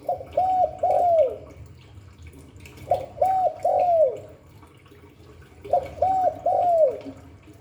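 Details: Cu đất cooing, 'Hạp Bổi' voice: three evenly spaced phrases, roughly every two and a half seconds, each of two short rounded hoots then a longer, downslurred one, over a soft steady hiss.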